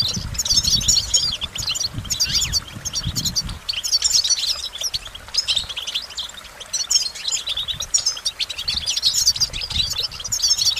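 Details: Goldfinch in sustained, fast twittering song of high jingling notes and buzzy trills, phrase after phrase, with some low thumping noise in the opening seconds.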